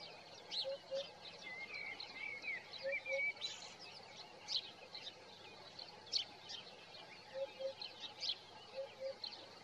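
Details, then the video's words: Eurasian hoopoe singing in the morning, recorded with a Nikon Coolpix P1000: soft, low hollow double notes, poo-poo, repeated about every two seconds beneath louder high chirping and twittering from other birds. "Le Coucou matinal de la huppe fasciée"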